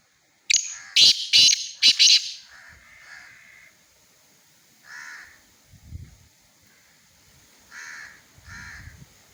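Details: Black francolin recorded in Khushab: a rapid, forceful run of four harsh grating bursts, followed by quieter buzzy notes repeated at irregular intervals over several seconds.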